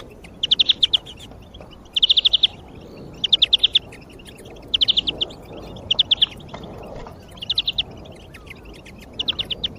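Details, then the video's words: European greenfinch song used as a lure to motivate other birds: short bursts of rapid, bright trilled notes, roughly every 1.3 seconds, over a low rumble of background noise. "Sonido de Verderon, para motivar el mejor."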